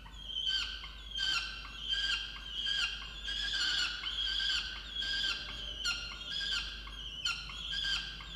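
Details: Peregrine falcon at a water-tower nest box in Orange, New South Wales, Australia, on 8 November 2022, calling angrily at its mate for not bringing breakfast: harsh, grating wailing notes repeated about eighty times a minute in uneven bursts.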